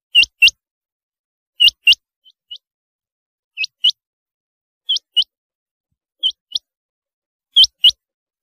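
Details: Chinga batair, the rain quail, repeating crisp upslurred whistles in doublets at irregular intervals, some pairs fainter, no other sounds.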